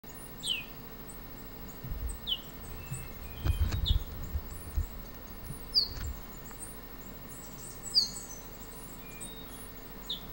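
Blue-hooded euphonia giving short, high, downslurred notes every second or two, with faint chirps from other small birds over low rumbling background noise.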